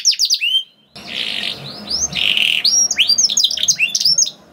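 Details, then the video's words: Canary lure song to get other canaries singing: a few sharp descending notes, a gap, then buzzy warbling phrases and upswept chips over a background of broad hiss. "PANCINGAN KENARI GACOR DOR NGEREK PANJANG INI AMPUH BIKIN KENARI LAIN BUNYI"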